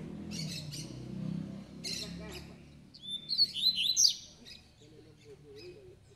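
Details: Spirited coleiro, a double-collared seedeater, with the tui-tui song style. After a muffled, noisy start, a loud burst of clear, warbled, high whistles rises and twists for about a second, then fades.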